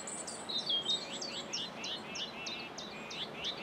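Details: A common whitethroat at Saltersford Locks on 8/5/2013 gives a fast, scratchy warble of quick high notes, hurried and chattering throughout, over faint background noise.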